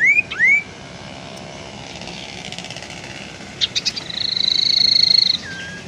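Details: Tailorbird lure sound of the 'teras' variety, used to lure birds and to stir quiet captive birds into singing: two sharp whistled upslurs open, then a short burst of clicks and a long steady buzzy trill.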